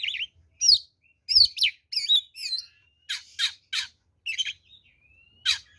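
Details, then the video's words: Oriental magpie-robin, locally kacer, giving fighting song as a lure for other birds: twisting whistles followed by a series of harsh buzzy rasping notes, with a thin drawn-out whistle in the background. "SUARA BURUNG kacer gacor NGEPLONG TARUNG ini paling AMPUH buat PANCINGAN kacer NYAUT EMOSI"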